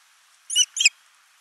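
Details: Osprey at a nest camera in Finland, 29 June 2024, as the male arrives with a large live fish and the female feeds the single chick: two short, sharp, high chirps in quick succession, then quiet.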